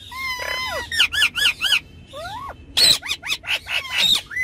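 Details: Pet ringneck parrots, more than one, on a car back seat, talking and playing: a run of harsh, ringing squawks and bent, whistled notes, some rising and some falling, coming in quick bursts with short pauses between.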